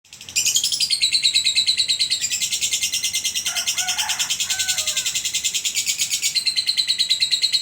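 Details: Lovebird ngekek from a bird that always wins contests in Sragen, known for unbroken songs lasting over two minutes: a dense, rapid, high chattering trill pulsing about three times a second, with brief lower chirps in the middle.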